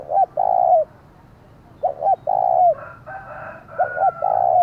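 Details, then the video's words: Loud luring call of a decoy spotted dove meant to provoke wild doves: mellow phrases of two clipped notes then a long falling coo, about every two seconds, with a rooster crowing in the background. "Chim Cu Mồi, tiếng thúc vang cả xóm mở lên kích bổi hiệu quả"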